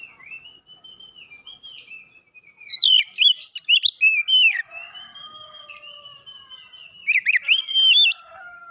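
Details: First-place Oriental magpie-robin from a bird-song contest, opening with soft, long level whistles, then a loud fast volley of slurred notes and sharp clicks, another sustained whistle, and a final burst.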